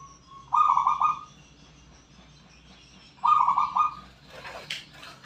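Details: Wild local zebra dove in Borneo giving two short bubbling coo phrases, three seconds apart, followed by a brief rustling or knocking noise near the end.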